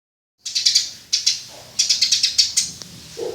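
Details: Eurasian tree sparrow, known locally as burung gereja, recorded as tutor audio for training songbirds: bright, sharp chirps in quick bursts of three or four notes, separated by short pauses, with a faint lower note near the end.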